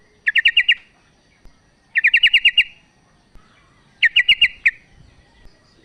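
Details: A female sooty-headed bulbul calls the male with three clear bursts of five or six rapid, bright chirping notes, spaced about two seconds apart, with little background noise.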